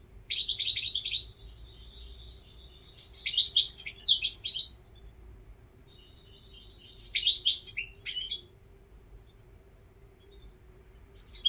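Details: European goldfinch song in three long, rapid, tinkling runs of mixed twitters and buzzy notes, separated by pauses of a few seconds, plus the start of a fourth at the end.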